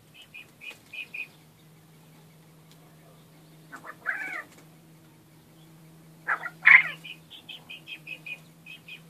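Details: Loud crow from a captive male quail that seldom crows: two rough, buzzy bursts a few seconds apart, between series of soft, evenly spaced chirps, over a steady low hum.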